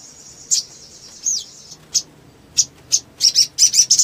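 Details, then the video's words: Crimson Sunbird male calling to stimulate rivals: thin, high sustained tone broken by separate sharp chips, accelerating at the end into a quick run of bright, high notes. "SOGON GACOR MERANGSANG SOGON LAIN CEPAT NGLEPER"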